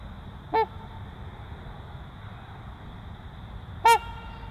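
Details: Trumpeter swans, a breeding pair, give two short, loud, nasal honks about three seconds apart, each rich in harmonics and slightly bent in pitch, over a steady low background hum.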